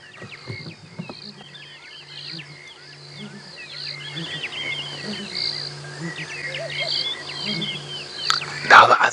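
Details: Two male Southern Ground Hornbills calling from a tree during a sunrise safari drive on 19 February 2017, unusually late in the morning, with unseen birds responding: low, soft booming notes in short groups, under busy chatter from many other birds.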